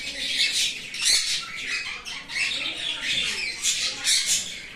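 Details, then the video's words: Sun conure screeching almost without pause: a run of harsh, grating squawks that swell and fade over a few seconds. "Sun Conure Bird"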